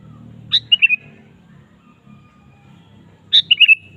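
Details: Sooty-headed bulbul in full voice, used to draw a caged bulbul into song; two matching phrases about three seconds apart, each a sharp note followed by rolling whistled notes, over a soft low hum.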